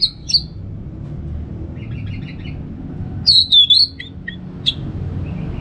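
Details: Caged orange-headed thrush from northern Bali singing sharp high whistled notes and quick slurred phrases, spaced with pauses, plus faint softer twitters and a low background hum.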